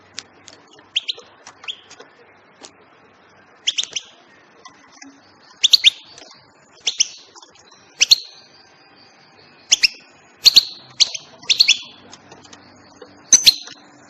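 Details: European goldfinch chirping: sparse, soft notes at first, then louder bright chirps in pairs and triplets coming faster toward the end, over a faint low hum.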